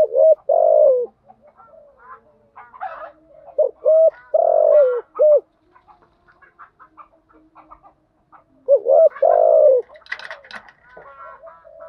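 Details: Spotted dove lure call in urging and calling styles: repeated phrases of short coos around a long falling coo, with chattering background bird calls between phrases.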